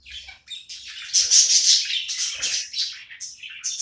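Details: Budgerigar kept as a pet, playing and warbling loudly in a dense, raspy stream of chirps with little pause, pulsing irregularly several times a second, ending in sharp high squeaks.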